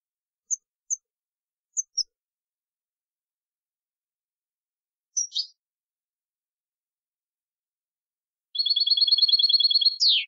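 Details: European goldfinch singing clean 'limpio' style, 2020 recording: scattered thin high pips, a short twangy note, then a steady buzzy trill of under two seconds finishing in a sweeping downward slur. No other sounds.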